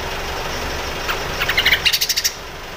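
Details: Crecet-style song of a grey-cheeked bulbul, kept as master song to teach white-rumped shama, magpie-robin and green leafbird. A quick run of about a dozen sharp, rattling pulses rises in loudness, then stops against a low background drone.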